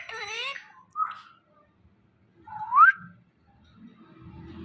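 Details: Pet Indian ringneck parakeet indoors in a small room, opening with a brief voice-like phrase of stacked wavering tones, then two sharp rising whistles about two seconds apart, with faint low room noise near the end.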